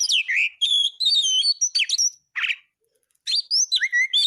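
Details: Oriental magpie-robin in lively full song, used as a tutor for caged birds: varied clear whistled phrases, some sliding and some trilled, in quick bursts with brief pauses, including a short harsh buzzy note.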